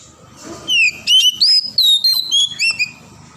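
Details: Wild forest Oriental magpie-robin singing a rapid run of clear, varied whistled notes, sliding up and down and bunched into short bursts, with a faint low hum beneath.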